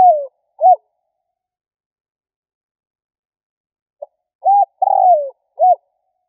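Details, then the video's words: Spotted dove lure call meant to provoke rivals: a low coo phrase, then a long silent gap, then a full phrase of short note, burry descending coo and closing short note, in a clean recording. "Tiếng chim cu gáy kích bổi"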